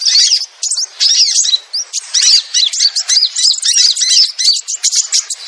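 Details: Sogon lure call for attracting wild birds: rapid chains of thin, upslurred chirps and twittering notes in clipped bursts of about half a second, separated by short quiet gaps.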